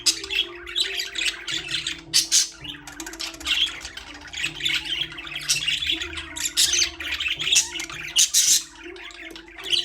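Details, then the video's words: Chirping caged budgerigars fill the recording with fast, high, buzzy twitters and occasional squeaky notes in overlapping bouts. Faint steady music runs underneath. "Budgies parrot #chirping sound"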